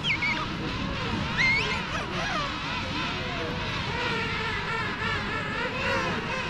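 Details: A colony of king penguins on South Georgia forms a dense chorus, many wavering, trumpeting calls overlapping into a continuous din, with no single bird standing clear.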